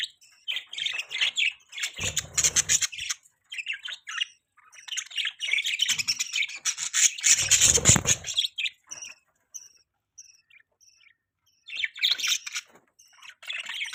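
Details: Budgerigar chatter of high scratchy chirps and raspy warbles in irregular runs, a few thin whistled pips in a quieter stretch, then more chirping near the end.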